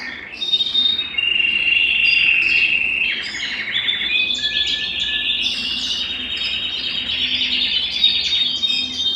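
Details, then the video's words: Belgian canary song to stimulate males and bring females into breeding condition: varied warbling phrases, whistles and chirps in a continuous, busy flow. "Canto Para Esquentar Canário Belga e Foguear as Fêmeas"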